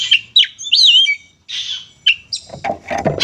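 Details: Oriental magpie-robin (kacer) in fighting song, used to provoke other magpie-robins: bright whistled notes that rise and fall, a sweeping warbled phrase, then buzzy chatter mixed with knocking sounds near the end.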